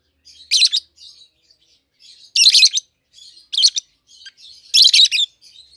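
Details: A pair of captive-bred peach-faced lovebirds, red-headed green opaline and red-faced dark green, aged seven to eight months, giving loud harsh high chirp bursts about every second and a half, with softer twittering between.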